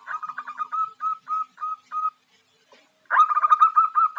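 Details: Javan zebra dove (Geopelia striata), a female calling to lure a male, gives quick stuttering notes, then several longer level coos, a brief pause, and a renewed rapid burst of rolling notes.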